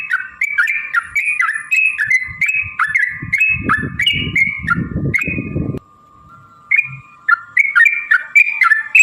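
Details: Long rapid song of a yellow-vented bulbul for provoking rival birds: a rapid stream of chirpy liquid notes with loud low crackling noise in the middle, a brief pause of near silence, then the bubbling phrases resume.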